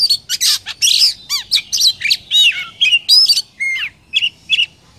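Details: Oriental magpie-robin song from Vietnam, used to encourage other birds to sing: a rapid, varied run of chirps, swooping slurred notes and scratchy squawks packed closely together, with quieter notes fading in and out.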